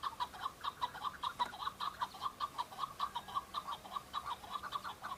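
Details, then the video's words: Chukar partridges, a group of singing males in breeding season on Bamo mountain, Kurdistan, fighting and displaying to females; rapid chuckling notes repeated about twice per second in a steady run, several birds overlapping. "شەڕە کەو - دەنگی کەو - معرکة بين الطيور حجل- کبک - صوت حجل - Chukar partridge fighting -Chukar call"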